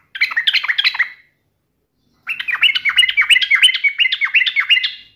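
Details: Yellow-vented bulbul singing energetically while challenging a rival, meant to goad another bulbul into replying. A brief bubbly phrase, a pause, then a long rapid run of gurgling, warbled notes that rise and fall steadily for about three seconds.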